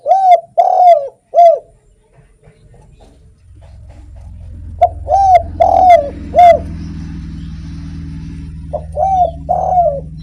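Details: Actively singing spotted dove, used to draw in other doves, gives a series of short arched coos in groups of two or three, while a low steady hum rises in the background from midway.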